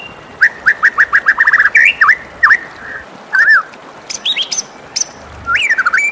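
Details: White-rumped shama singing in the morning: a rapid stutter of short whistled notes, then swooping slurs and high sharp chips, ending in a loud descending whistle.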